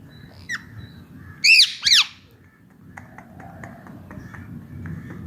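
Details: Indian ringneck parakeet, a pet talking parrot, gives a short squeak then two loud, piercing, down-curving screeches in quick succession, followed by quiet faint chatter and hum.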